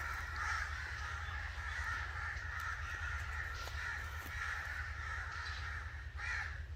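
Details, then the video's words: A chorus of angry crows: unbroken raspy cawing, with one sharp, loud caw near the end, over a deep steady hum. "Angry Crow Sounds"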